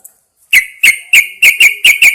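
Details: Caged Yellow-vented Bulbul hung outdoors in the early morning to prompt singing, giving seven sharp, clear whistled notes in quick succession after a brief pause.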